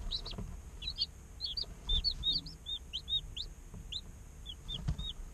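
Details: A day-old chick group in an incubator peeping: clear high chirps, some curving down, given in loose pairs and singles roughly every half second, with occasional low bumps.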